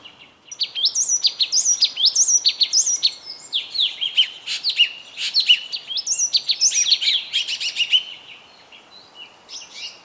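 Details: Bird singing alone: lively high sweet phrases of whistled upslurs and sharp chips, rapidly repeated, carrying on for about eight seconds before tailing off.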